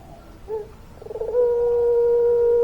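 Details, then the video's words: Puter pelung dove in full long-voice song. Soft short notes lead into a single long, even coo that is held steadily to the end, low and hollow in tone. "Puter Pelung Gacor Suara Panjang, Manggungnya Bikin Adem"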